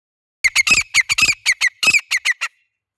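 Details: Grey francolin (Francolinus pondicerianus) gives about a dozen harsh, squawking notes in a fast, loud two-second burst against a quiet background.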